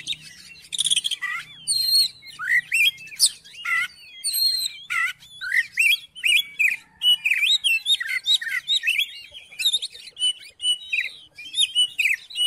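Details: Oriental magpie-robin song played to draw a sluggish, silent magpie-robin into singing: a long, energetic run of varied whistles, trills and sharp chirps, swooping up and down with brief gaps, quiet background.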